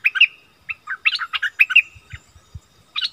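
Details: Wild striated bulbuls in a rare heated exchange, 8 February 2021: clusters of quick, clear whistles and chattering notes in uneven groups with short gaps, plus a few soft low thuds.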